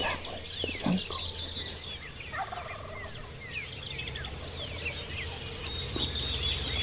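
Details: Call-shy wild turkey tom, a longbeard, in Nebraska, hunted without calling or decoys: a brief rapid rattling gobble rolls out around two seconds in, amid busy high chirping and trilling songbirds and a low steady rumble.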